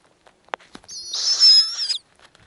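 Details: High, strained, hissy squeal lasting about a second, steady and slightly wavering, from a snowy owl nest with owlets being fed in small pieces by the female; a couple of soft taps come before it.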